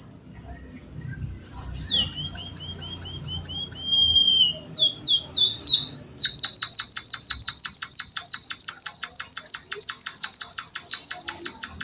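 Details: Java sparrow song imitating canaries, for training and stimulating other birds: high whistled slurs sweeping downward, then a steady rapid trill of about two notes per second, bright and sharp, with faint low background rumble.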